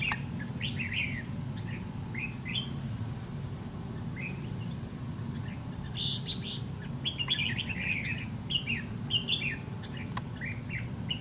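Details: Red-whiskered bulbul, a white-cheeked decoy bird set out in a fighting trap, gives short slurred chirps in scattered groups, with a brief rustle midway and constant low background hum.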